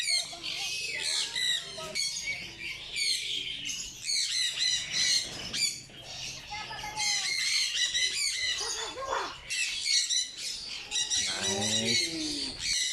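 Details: Cockatoo calling out to itself in playful talking style; a dense run of harsh, high squawks and chattering notes fills the recording, with a few lower scratchy rasps near the end.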